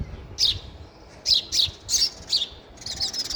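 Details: Sparrow feeding at a feeder: a quick series of sharp, high chirps, some doubled, coming close together, followed by a softer twittering at the end.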